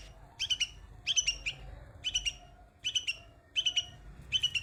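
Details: Baby bulbul singing on white flowers, loud, bright twitters in fast groups of two to four notes, coming about every half second to second over a light low hum.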